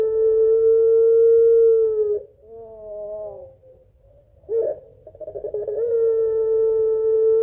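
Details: Puter pelung barbary dove calling to its mate with a long crying, laughing call: a held steady coo, softer quavering notes, a rough burst, stuttering pulses, then another long held note.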